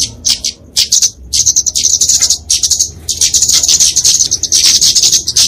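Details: Flowerpecker (kemade) fighting song, used to train and lure songbirds: a few spaced high chips open into a fast, continuous, tinkling high-pitched trill.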